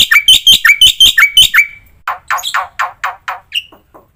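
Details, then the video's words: Black-winged myna training song with varied fills: a quick run of sharp, downslurred whistled chips, then a slower sequence of rough, buzzy chatter notes and one final short whistle. "semua burung jalak langsung RESPON GACOR dengar suara masteran jalak putih full isian ini"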